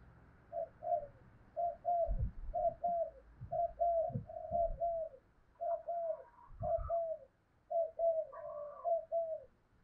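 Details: Spotted dove cooing to provoke wild doves and decoy birds, in the thổ voice style: a quiet run of short paired coo notes repeated about once a second, over low rumbling background noise and a few higher faint notes.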